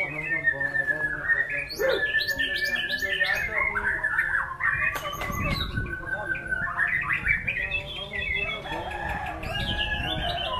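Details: White-rumped shama performing a varied, luxurious-sounding song: rapid chains of whistled and trilled phrases jumping between pitches, with sharp clicks and buzzy bursts and a low background hum.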